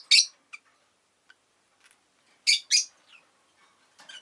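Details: Rosy-faced lovebird making loud, harsh chirps, a strong opening note, a paired burst mid-clip and softer twitters trailing off.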